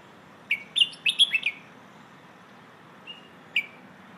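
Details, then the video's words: Red-whiskered bulbul hoot-style training song for young birds: a rapid run of five bright whistled notes, then silence broken by two short isolated whistles near the end. "เพลงโห่ เสียงฝึกร้องนกกรงหัวจุก"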